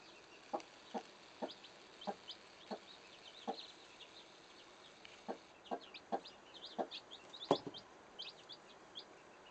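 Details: A hen shelters her chicks beneath her wings as they play hide-and-seek. Short, low clucking notes come in an uneven series, mixed with many quick, high chick cheeps and one louder burst near the end.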